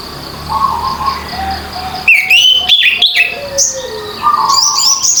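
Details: Orange-headed thrush in 'ngeplong' song meant to prompt birds that have stopped singing: after a soft lower warble, quick varied whistled phrases sweep up and down, ending in high chattering notes, with a constant thin high tone behind.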